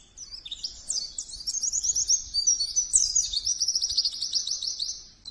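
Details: Oriental white-eye (pleci) singing nonstop for five seconds: dense, very high, rapidly repeated twittering notes and short trills, with steady faint low rumble underneath.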